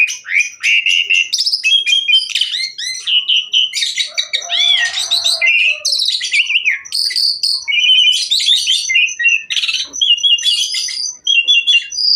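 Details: Asian pied myna in full energetic song, rich with varied filler phrases, used to prompt and tutor other mynas into singing: a fast jumble of whistles, buzzy trills, harsh rasps and chattering notes with hardly a pause.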